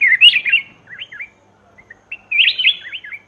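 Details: Black-crested bulbul calls used as a lure for wild birds: bright, bubbly whistled phrases of quick up-and-down notes in two bursts, separated by a short pause with a few soft single notes.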